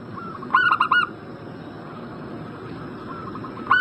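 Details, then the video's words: Zebra dove lure call for drawing an answer from a bird in breeding condition: one sharp burst of quick, rolling coos, faint distant cooing, then the start of another burst at the very end. "Pancingan burung perkutut Agar Cepat Nyaut gacor Juaranya pancing birahi langsung nyaut emosi"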